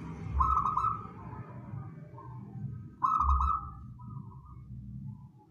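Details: Local wild zebra dove, a perkutut, whose song is used as a lure for catching birds. It gives two rolling, trilled coo phrases about three seconds apart, each a rapid fluttering burst trailing off into softer notes, over a steady low rumble.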